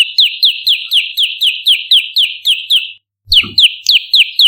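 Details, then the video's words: Olive-backed tailorbird lure song meant to draw in and train birds: evenly spaced, loud down-slurred chirps about four per second, a short pause with a faint low thump, then the chirping continues. "Masteran Tembakan Variasi Prenjak Lumut"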